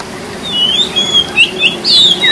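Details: Oriental magpie-robin song used to coax silent magpie-robins into singing: thin drawn-out whistles at steady pitch, then a few short rising notes and a louder downward-slurred whistle.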